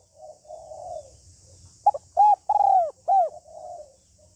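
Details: A female spotted dove gives her calling, urging and cooing notes to stimulate a male. Gentle coos lead into a clear sequence of four strong, arching coos, then one softer coo.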